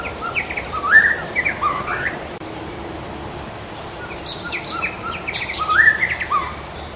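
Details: Wild white-rumped shama giving two bursts of varied whistled notes, rising swoops and brief upslurs, separated by a few seconds of quiet; faint high chirps from other birds and a constant ambient hiss.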